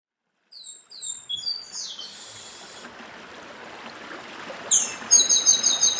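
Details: Chestnut-bellied seed finch, the Northeastern papa-arroz form, singing over a steady stream: high descending whistled slurs, a buzzy note, then a run of bright repeated trilled notes, with constant water rush beneath.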